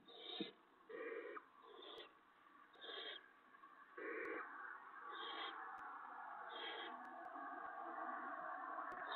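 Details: Barn owls at the nest, 6 April 2017 at 5:01 AM, as a vole is delivered and eaten backwards by the owlet; a series of harsh breathy screeches about once a second, fading into a broad steady rushing noise.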